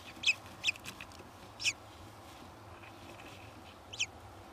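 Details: At a kestrel nest where the third egg is hatching and the male comes in to look at the chicks, a kestrel gives five short, sharp, high calls: four close together in the first two seconds, then one after a pause. Low steady hum beneath.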